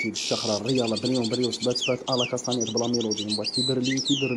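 A European goldfinch sings a fast, tinkling twitter of high, liquid notes and buzzy trills, with a man talking loudly over it throughout.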